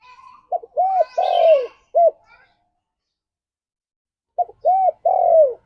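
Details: Repeated morning song of a spotted dove, intended to bring on breeding condition: two phrases of mellow, arched coos, each with a long, descending middle note, separated by a pause of about two seconds of silence.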